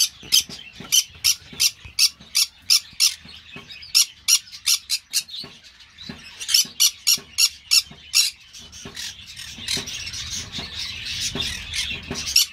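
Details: Green-cheeked parakeet calling in a long run of grating, high squawks, roughly three a second, quite steady at first, then denser and overlapping with a rising background chatter of more squawks toward the end.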